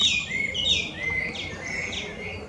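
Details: Loud song of a wild Chinese hwamei, a bird of Chinese origin now an invasive species in Japan: a few long, sweeping whistles sliding down and curling back up, ringing clearly above a faint low hum.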